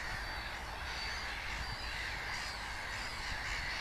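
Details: A steady chorus of Mediterranean gulls at Stanwick Gravel Pits, Northamptonshire, on 8 July 2017, at the county's first breeding site, gives many nasal yelping calls overlapping without pause, over a low rumble of wind or distant noise.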